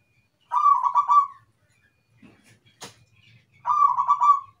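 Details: Zebra dove (perkutut) song of two clear rolling coo phrases, each about a second of rapid throbbing pulses, separated by a gap with a sharp click and soft rustles.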